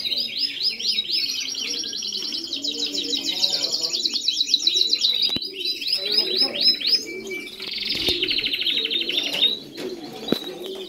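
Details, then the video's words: Several Spanish Timbrado canaries sing together in a long continuous run of fast trills and rolling repeated notes, shifting tempo through the phrase, with a low murmur in the background. "Canarios cantando"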